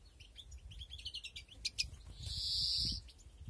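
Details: European greenfinches breeding in a flight aviary in 2021, with more nests built: rapid high twittering chirps and short trills, then a long nasal wheeze held for nearly a second, over a low background rumble.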